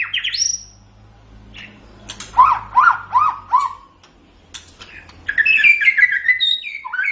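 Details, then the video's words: White-rumped shama song used as tutor audio so pet cage birds sing readily. A rising whistle opens, then four looping slurred notes and a long descending warbled phrase, with a faint low hum beneath. "MASTERAN GACOR - Suara Burung Murai Batu"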